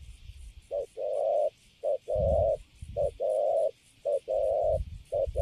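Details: Wild-caught young spotted dove, newly caged and standing still, cooing in pairs: a short low note then a long steady hollow coo, repeated about once a second, with soft low thumps underneath.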